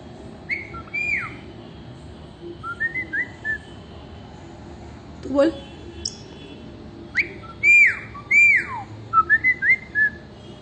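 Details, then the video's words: Parrot giving bursts of short whistled, speech-like phrases, several notes rising then dropping sharply, separated by pauses of about a second, over a faint steady background hum. "Talking Parrot"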